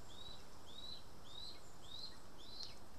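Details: {'caption': 'Lesser spotted eagle at the nest, Estonia, August 2020, being fed voles. Five thin, high, slightly rising whistles evenly spaced about every half second over a soft background hiss.'}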